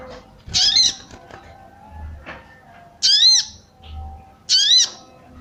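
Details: Female sooty-headed bulbul calling to excite males. Three harsh, buzzy squawks at uneven gaps of roughly one and a half to two and a half seconds, mixed with small clicks and dull low thuds.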